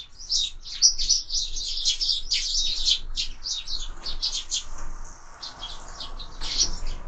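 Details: Several sparrows at a window feeder during an active breakfast, giving rapid, tightly packed high chirps for the first few seconds before the chatter loosens into sparser, separate notes.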